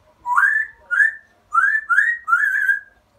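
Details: Pet African grey parrot copying the tune "Always Look on the Bright Side of Life", learned from a recording it loves hearing: five clear whistled notes, the first sliding upward, then steady mid-pitched whistles in quick succession, indoors with no other sounds.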